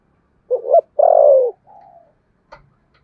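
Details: Spotted dove in contest cooing, Sấm Thổ voice: a two-part short note then a strong, long falling coo and a faint trailing note, followed by a small click.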